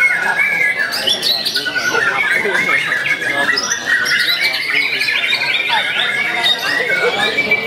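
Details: Young white-rumped shama singing persistently: a long, varied stream of clear whistles, sharp upslurs and rapid buzzy trills, nearly continuous, over a dense backdrop of other bird chatter and murmur.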